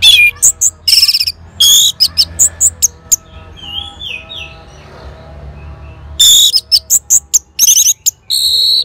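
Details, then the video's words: Orange-headed thrush answering a lure sound in Singaraja, Bali, with rapid, loud, high-pitched chirp bursts, a softer warbled passage in the middle, then another fast string of piercing notes. "Sangarnya Respon ANIS MERAH Langsung Nyaut Dengar Pancingan Suara Burung Ini."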